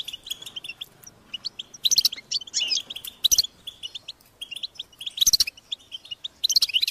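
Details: High-pitched, insistent begging of goldfinch chicks asking parents for food: sparse chirps at first, then loud clustered bursts of shrill twittering notes, each lasting under a second.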